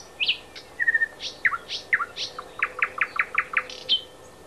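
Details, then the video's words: Thrush nightingale in song at Háj, Turčianske Teplice, Slovakia, giving a dense mix of sharp upslurred notes, a short flat whistle and a rapid series of clicking chock notes ending in a high whistle. "Luscinia luscinia - Slávik veľký"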